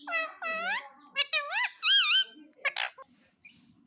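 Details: Happy pet parrot indoors, chattering in rising and wavering harmonic squawks, several in quick succession, with a wobbling call near the middle and softer trailing notes.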